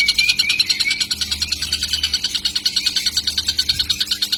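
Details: Juvenile kingfisher giving lure calls: rapid rasping high notes in a steady pulse, about three a second, with a thin whistle early on and a soft low hum in the background.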